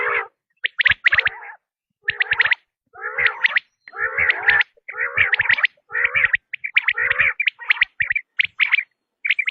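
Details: Quail, known locally as batair, giving a tested call: rapid groups of harsh chirps, each burst lasting under a second, repeated roughly once a second against a quiet background.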